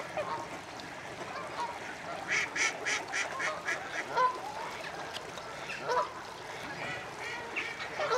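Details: Common starlings preparing to roost at Slimbridge Wildfowl Trust in Gloucestershire, UK: a dense chorus of overlapping chatter and harsh calls, with louder bursts around mid-clip and goose-like honks mixed into the background.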